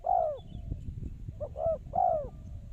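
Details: A lure spotted dove in a trapping setting calls a long, falling coo. Soon after comes a phrase of two quick soft notes ending in another drawn-out, downward-bending coo. Low rumble sits beneath.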